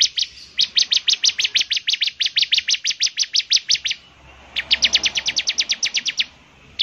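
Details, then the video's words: Bar-winged prinia in full song, its distinctive voice meant to prompt others to sing: rapid runs of sharp, high buzzy notes repeated about three per second, broken by a brief pause before another burst. "ciblek semi gacor, suaranya yang KHAS bikin ciblek semi IKUT bunyi"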